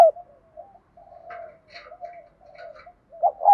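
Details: Spotted dove in the morning, calling to attract wild doves, thổ voice with thúc coos: a run of quiet, low wavering coos with faint higher chirps, ending in two loud hollow notes.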